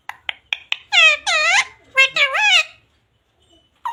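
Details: Talking pet parrot indoors: several quick clicks, then a string of rich, wavering, word-like syllables in two bursts, followed by silence and a final short sound.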